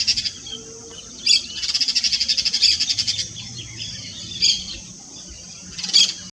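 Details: Yellow-chevroned parakeet song of sharp, high screeches followed by a long run of rapid rasping pulses, then isolated shrill notes spaced a second or two apart.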